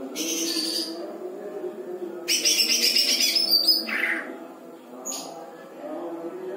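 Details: Greater green leafbird singing lovebird-style phrases in captivity, giving loud, dense, high twittering bursts with a brief lower buzzy note, then a short chirp after a pause, with a constant low background hum.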